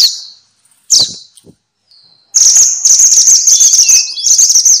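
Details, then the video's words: Noisy minivet (mantenan or sepah) calling: two loud, harsh high bursts separated by pauses, then a dense, continuous run of shrill chirps and twittering notes, with faint lower whistles mixed in. "kumpulan suara burung mantenan (sepah) ribut!!"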